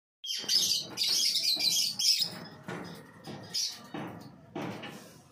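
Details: Two fully mature cockatiels in Assam give harsh, high chirps, first in a dense chattering run, then in spaced bursts.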